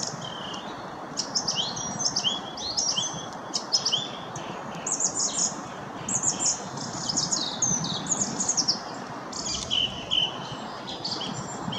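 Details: Song thrush in full song, a bird that often repeats a short melody three times and sometimes mimics other birds; varied high, clear phrases come in quick succession, many notes sounded in short repeated bursts, with steady low outdoor noise beneath.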